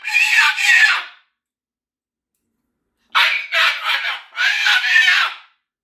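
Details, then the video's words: A Moluccan cockatoo named Max has a "meltdown" indoors: loud, harsh, broadband screams, one long scream, a pause, then a quick series of three or four raucous yells. "How Loud is a Moluccan Cockatoo?"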